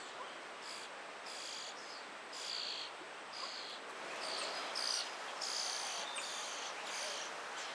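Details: European starling chicks in a tree cavity, hungry while a busy parent brings food; harsh, raspy buzzing bursts repeated irregularly, several per second at times, rising and falling in loudness over steady background hiss.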